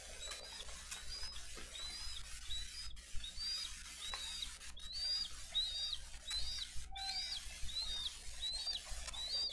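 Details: A Dade County bald eagle nest on 22 April 2023, parents feeding fish to the eaglets: a steady run of about fourteen brief, arched, high chirps, roughly one every half second, over constant hiss and occasional clicks.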